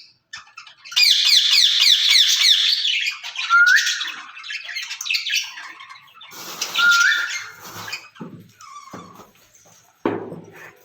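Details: Two caged ring-necked parakeets talking to each other in Urdu and Hindi: a run of harsh, buzzy rasping bursts, then a clear whistled note rising and held, further scratchy chatter and a short low squawk at the end.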